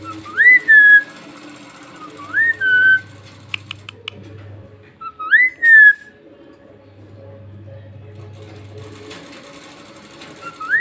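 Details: Pet talking parrot at home mimicking, giving clear rising whistled phrases with a falling tail, repeated about every two seconds in four bursts, with faint background hum.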